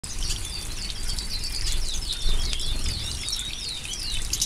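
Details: European goldfinches moulting at bath time in May 2015 give a rapid, tinkling twitter of high, slurred notes, several birds chattering at once over a steady low rumble.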